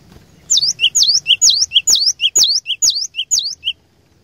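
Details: Cinereous tit used as a lure bird, singing a loud, rapid series of about eight paired notes: a high sharp whistled note dropping into a lower short note, repeated roughly twice a second, with faint low background hum.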